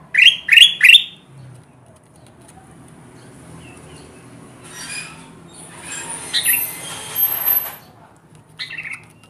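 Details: Ruby-throated bulbul, a 'gacor' bird whose calls summon wild kutilang emas to traps. Three rapid, rising notes open the clip. Quiet follows, then hissing rustle and a faint final note.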